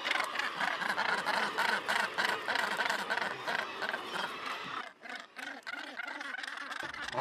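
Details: Northern gannets at a nesting colony on the steep coast of Helgoland, giving harsh, grating calls repeated rapidly in a steady, rasping rhythm that breaks off briefly near the end.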